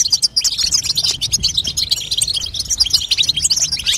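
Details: European goldfinch female twittering to encourage a young bird to sing, a fast stream of bright, high chirps and liquid trills packed closely together, steady in loudness throughout, over a quiet low background hum.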